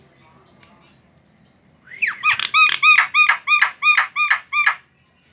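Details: Javan myna singing as a lure to set off other mynas: after a faint squeak, a rising slur leads into a steady train of about ten nasal, ringing notes, evenly spaced, each with a bright squeaky edge.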